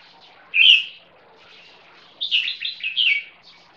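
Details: A red-whiskered bulbul crossbreed (red-whiskered × yellow-vented bulbul lineage), aged 1 year 6 months, sings one bright warbled note, then after a pause a quick run of four or five rich, bubbling phrases.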